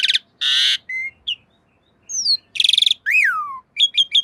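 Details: Master song of a Black-winged myna for training cage birds: broad harsh buzzy bursts, a pure whistle, a stuttering rattle and a loud descending slurred whistle, with sharp chirps at the end.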